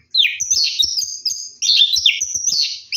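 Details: Orange-headed thrush at night during a bath, pouring out two dense bursts of high, fast warbling and twittering with barely any pause.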